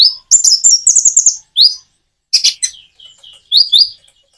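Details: Common iora song built with natural pauses to draw replies from quiet birds: a quick burst of high chirped notes, then a silent break and a few scattered sharp calls.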